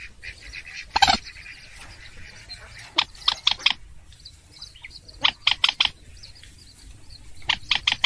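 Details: Lure recording of a purple swamphen 'trích ré' call: a loud opening screech, then repeated clusters of three or four grating squawks every two seconds over soft nasal chatter.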